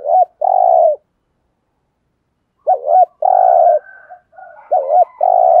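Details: Spotted dove kept as a lure to stir wild doves to coo back, giving low mellow coos: a wavering short note followed by a longer flat one, repeated after a gap with softer trailing notes.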